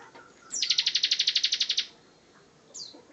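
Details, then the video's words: A single clean ngebren trill from a Bar-winged prinia master bird: about sixteen quick, bright pulses in just over a second, followed by one thin falling note. "Ciblek Gacor Ngebren"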